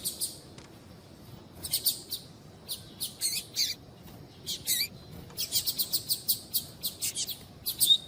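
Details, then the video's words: Calling female double-collared seedeater, heard to warm up and stimulate a male's tui tui singing: high, dry chirps in irregular groups, thickening into a quick stuttering series toward the end, light background hiss. "Esquentar Coleiro Tuí Tuí Com fêmea Chamando"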